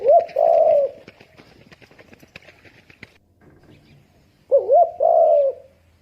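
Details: Spotted dove coo: a drawn-out low coo opens, then a stretch of faint clattering and rustling, then a wavering two-part coo ending in a longer steady note.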